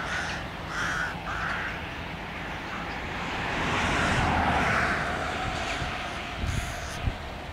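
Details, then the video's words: Rooks (Corvus frugilegus) at a bird-feeding spot in Busko-Zdrój, Poland, give harsh, hoarse caws in short bursts, several birds calling over a steady background murmur with a faint distant hum. "Gawron zwyczajny , Corvus frugilegus, Rook"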